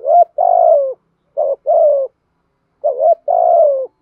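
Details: Decoy spotted dove in urging coo, meant to excite other male doves: three phrases spaced about 1.5 seconds apart, each a short wavering note then a longer coo that slides gently downward. The recording is clean.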